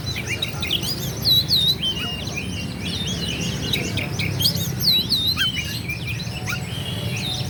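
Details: Song of an Oriental magpie-robin (kacer) used to stir rival birds into fighting responses; high, sweeping whistled notes in short bursts, with bright rising-falling phrases near the start and again about five seconds later, over steady low background noise.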